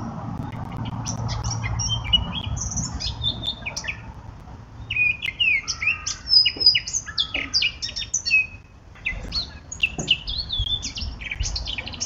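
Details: Eurasian blackcap song in bursts: quiet at first, then rapid chattering warbles and sharp whistled notes, with a brief pause before another lively phrase.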